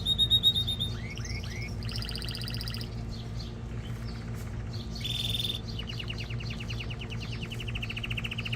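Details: Canary singing to prepare a female for mating and tutor young birds: a quick high trill, rising swept notes, buzzy rolls and a long rapid trill of evenly repeated pulses.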